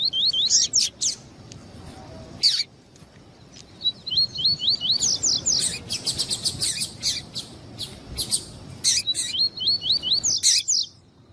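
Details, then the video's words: Male and female double-collared seedeaters calling to warm up a male bird for tournaments. Repeated high, rippling whistled phrases alternate with a rapid volley of harsh chips in the middle. "ESQUENTAR COLEIRO TUÍ TUÍ COM COLEIRO TUÍ-TUÍ E FÊMEA CHAMANDO PARA ESQUENTAR COLEIRO TUÍ-TUÍ"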